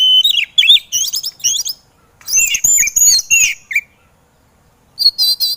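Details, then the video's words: Training recording of a white-rumped shama for kacer birds that are slow to sing: rapid whistled and chattering phrases, dense scratchy warbling mid-clip, silence, then a final short high burst. "MASTAERAN BURUNG KACER EMOSI"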